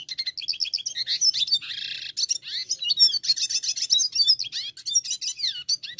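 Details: Red siskin of the brune dilute colour mutation, browner in colour, singing a dense, fast twitter of high chirps and trills, broken by a brief buzzy burst near the middle and continuing in rapid, overlapping phrases.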